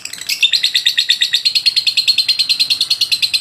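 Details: Lovebird singing a long-duration ngotot song, used as masteran training material: a fast, steady run of high, sharp chattering notes, about three per second, held without a break.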